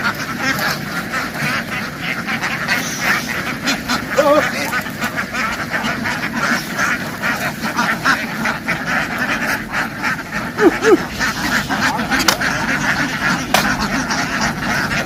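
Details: Ducks on a farm in a field make a loud racket as they rush into the water and hop back onto the bank. Steady, raspy quacking from many birds continues throughout, with faint voices in the background.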